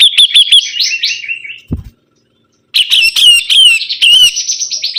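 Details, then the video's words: Sibuntung bird singing vigorously: quick high chips running into a warbled, slightly descending phrase, a brief pause with a thump, then dense, scratchy, rapid chattering notes. "BURUNG SIBUNTUNG GACOR"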